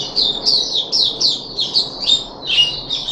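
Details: Caged puff-backed bulbul on its third day of deworming treatment, 14 July 2021: a run of high, slurred chirps that dip in pitch, about two per second, with a brief bright whistle near the end.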